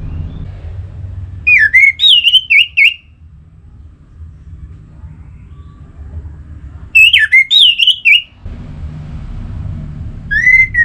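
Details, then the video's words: Lure song of an Orange-headed thrush, meant to get other thrushes singing: whistled phrases of rising and quavering notes recur about every five to six seconds, with a third beginning at the end, over faint background hum. "Anis Merah Gacorr Untuk Pancinggan Burung Punglor Jadi NGeplong"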